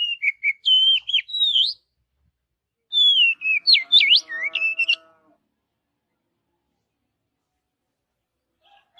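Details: Wild Oriental magpie-robin in forest song: two bursts of loud whistled, sharply swooping notes separated by a pause. A faint lower tonal hum sounds under the second burst.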